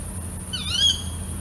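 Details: A female tawny owl (Strix aluco) calls at night: one shrill, nasal call about half a second long that rises and then drops, over a steady low hum and a faint high hiss.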